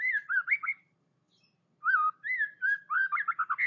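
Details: White-rumped shama singing: rich, fluting whistled phrases with rising and falling slurs, a brief silent gap, then faster varied notes in a quickening string.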